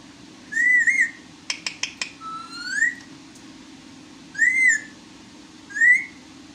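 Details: Talking pet parrot alternating arched, wavering whistles with a rapid run of four clicks and a long rising whistle, then two more bent whistles after pauses, above a low indoor hum.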